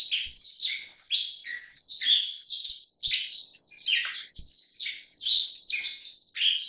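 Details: A Black-faced bunting (Emberiza spodocephala) gives an unbroken chatter of thin high chirps and downslurred buzzy notes in quick rolling bursts. Occasional faint low knocks are heard; there are no other animals.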